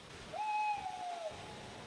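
A tawny owl gives one drawn-out, mellow hoot lasting nearly a second, steady at first and then dipping slightly at the end, over quiet background hiss.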